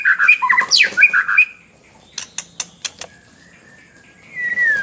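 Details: White-rumped shama in full song: harsh mid-pitched notes mixed with a quick rising sweep for over a second. A pause with a few sharp clicks follows, then a thin whistle that slides downward at the end.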